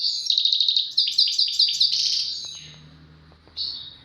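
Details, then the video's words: European goldfinch singing tawawati and tbatbati phrases, described as a duet: a quick run of pulsed chirps at about two to three per second, fading into a trailing buzzy note over a faint low hum. "غازارات تواواطي وتباتباتي فالقمة اسمع واتمتع مع المقنين الزين"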